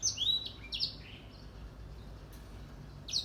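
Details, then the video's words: Grey singing finch singing actively in the morning: quick high sweeping notes slurred downward and upward in a short bright burst, with a pause before a final note. "Grey Singing Finch / Edel Sanger Bird Singing / Gacor di pagi hari"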